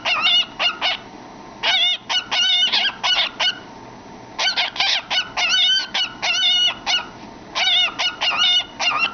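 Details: Pet cockatiel singing and chattering inside a cardboard tube, entertaining itself: quick bursts of scratchy, warbling notes in clusters separated by short pauses, repeated throughout.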